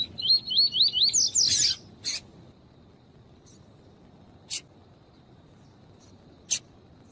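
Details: Double-collared seedeater, male and female calling, used to warm up a male bird for singing tournaments: a run of quick, high, rising-and-falling whistled slurs that speed up into buzzy notes. Sharp clicking bursts follow.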